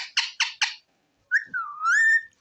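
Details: Pet ringneck parrot indoors: four quick harsh squawks, a pause, then a smooth whistle that dips and rises to a held note; a woman speaking Hindi before and after.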